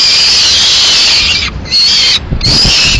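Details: Lone Peregrine falcon chick in Madrid on 22 May 2016, demanding food while the female eats a swift the male brought: loud, harsh, drawn-out screaming wails, broken by short pauses.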